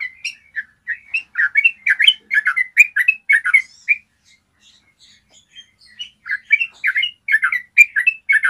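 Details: Clear long ropel trill of a yellow-vented bulbul, meant to coax caged bulbuls into singing: rapid gurgling phrases for about four seconds, a brief near-silent gap with faint notes, then the lively chatter resumes.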